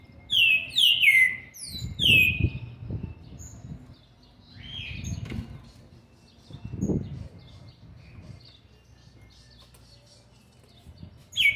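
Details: Seven-month-old young green-winged saltator opening with four loud descending whistles in quick succession, then a quieter whistled note, long near-silence with low rumbles, and a final loud whistle at the end.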